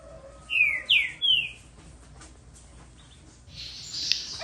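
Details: Green-winged saltator, described as brave and a keen singer, gives three clear whistled phrases, each gliding downward, followed by quiet background and a short burst of noise near the end.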